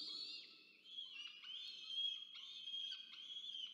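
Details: Peregrine falcons at a nest box at Charles Sturt University, Orange, New South Wales, Australia, 24 October 2022, as the adult male delivers food and the female feeds two chicks. Harmonic, drawn-out wailing calls rise and fall, broken by short gaps.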